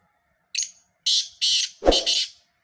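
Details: Black francolin call as a grating phrase: one short rasping note, a pause, then three loud harsh buzzy syllables in quick succession, the last doubled, with a dull thump beneath it.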